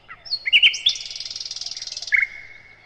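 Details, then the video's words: Sikatan londo (nightingale) phrase from a master song for training other birds: a few sharp chips and a slurred whistle, then a long even rattle of rapid notes, closing with a short level whistle. "Materan Burung Sikatan Londo"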